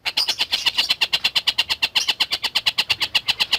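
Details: Singing collared kingfisher for lovebird tutoring: loud, ringing, slightly buzzy notes in a quick regular series, close to three per second, unchanging in pitch throughout.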